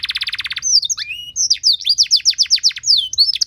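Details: Canary singing with rich variations for training other birds: opening fast buzzy rattle, then a looping whistle and a string of sharp high downslurred notes at a lively pace.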